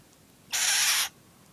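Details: A 9-week-old barn owl gives one harsh, breathy hiss-screech lasting about half a second while being fed, with only a faint background hum.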